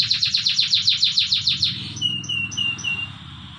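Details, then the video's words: In the morning, a canary sings a training song: a steady rapid trill of repeated sharp notes for over a second, followed by slow, thin whistles spaced about every half second. "the best canary training song in the morning"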